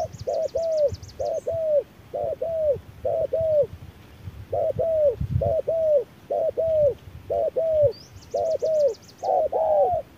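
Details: Spotted dove in a midday duel with a decoy bird, delivering about ten evenly spaced double coos, short then longer and falling, while a small bird twice gives a quick high trill.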